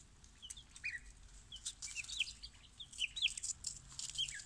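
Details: Freshly delivered baby chicks, a barnyard mix collected from the post office in the early morning, peeping steadily: high, short whistled chirps, often downslurred, about one per second among several birds, with light rustling of the box.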